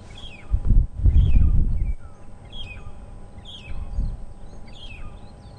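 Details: Long-tailed shrikes calling at sunrise on a windy safari drive, strange whistling notes, each a short high whistle falling away, repeated about once a second, with gusts of wind rumbling underneath.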